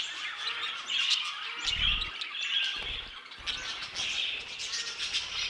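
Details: Several budgerigars kept in an aviary keep up a continuous warbled twittering with scattered sharper chirps; a few low thumps, likely movement, break in briefly.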